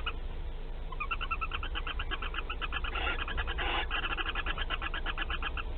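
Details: Nest-box barn owl at Théding, France, 15 March 2021, during laying of the first egg: a sustained rapid chatter of short tonal notes, two brief rustling bursts midway, over constant low background hum.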